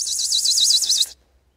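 A Pine Warbler's quick, high musical trill of about nine notes, each sliding slightly upward, lasting just over a second before falling silent.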